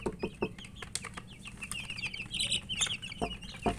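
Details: Several chicken chicks feeding, with rapid high, thin peeps overlapping one another and scattered sharp clicking pecks against a low background rumble.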